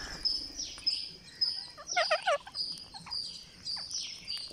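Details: Green parakeet calling during feeding on day 49: thin, high, downward-sliding squeaks repeated every second or so, with one louder, harsher, throaty burst in the middle.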